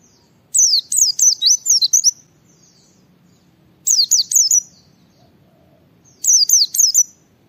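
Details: Gacor white-eye (pleci) song meant to stimulate other white-eyes into singing: three phrases of four to six rapid, high, slurred whistled notes, repeated roughly every two and a half seconds.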